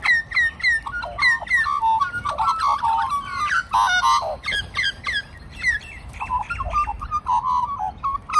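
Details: A large group of magpies, at least three families living together for over a year, sing to the man who feeds them: rich warbling phrases with harmonics and fluting notes, repeated in quick overlapping bursts.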